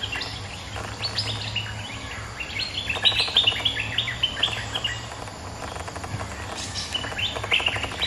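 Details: A resident bulbul sings back at a rival bird with lively chattering phrases of high, jerky whistled notes, pausing briefly before resuming in fast clusters; a steady low hum runs underneath.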